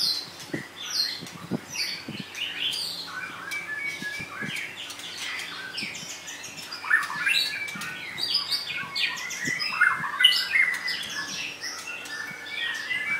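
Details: Two caged female white-rumped shamas, freshly finished with their molt and not yet in full form, kept together: a busy stream of varied chirps, short whistles and squeaky notes, rapid and irregular, with occasional sharp clicks and low thumps.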